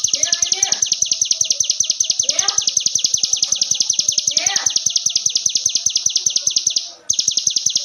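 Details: A ciblek gunung pours out a fast, high 'ngebren' song for training songbirds: a dense run of piercing notes with a few lower descending calls mixed in and one brief pause near the end.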